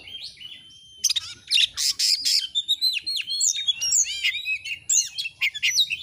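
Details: Oriental magpie-robin (kacer) singing vigorously, a clear tutor recording meant to excite other birds into display: a thin whistled opening, then rapid bursts of high sweeping whistles and sharp chirps, densely packed and varied.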